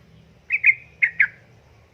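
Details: Yellow-vented bulbul female calling a male, recorded as a lure; four sharp, slightly slurred chirps in two pairs, then the start of another note, with faint low background hum.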